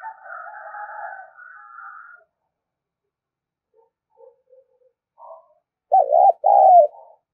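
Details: Spotted dove luring call for a decoy bird: a steady hum-like tone for two seconds, then silence, then two loud low wavering coos near the end.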